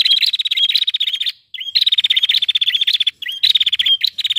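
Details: Female prinia calling to stir males into song: dense bursts of rapid, ticking trills around a steady high whistled note, each burst over a second long, with a short upslurred note between bursts.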